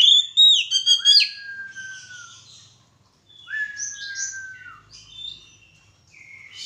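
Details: White-rumped shama singing during a mating pairing: loud bright opening notes, two long slightly falling whistles separated by a pause, and scattered high chirps between them.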